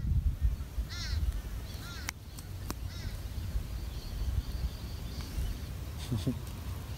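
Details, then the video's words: Agitated pet bird, just pushed away from a female it was crowding, makes two short wavering squawks close together with sharp clicks after them, while a person keeps calling to it over a low background rumble. "When your Bird Malfunctions"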